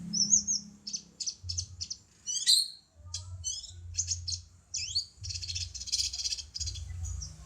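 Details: Cucak cungkok bulbul on a songbird training recording: bursts of high, rapid chattering notes alternate with quick twisting whistled sweeps that rise and fall, with short pauses between phrases and a low hum underneath.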